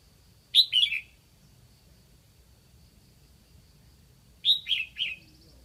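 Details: Red-whiskered bulbul used as a decoy in Lạng Sơn, calling to draw in wild birds; a sharp two-note whistled phrase, then a pause of nearly four seconds and a three-note phrase, with a thin constant whine in the background.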